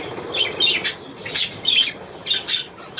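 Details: A pair of budgerigars from East Frisia: short bright chirps and twitters in quick bursts, some sliding and buzzy, separated by brief pauses.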